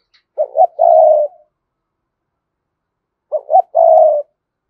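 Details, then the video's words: Spotted dove giving its full cooing song to provoke wild doves: two low phrases, each with two quick rising notes and a drawn-out steady coo, about three seconds apart. No other sounds. "Chim cu gáy Cườm Sa thúc gù gáy gọi đủ bài. chim cu gáy kích bổi nhanh nổi"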